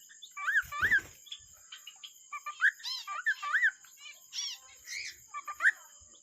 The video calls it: cute cockatiel singing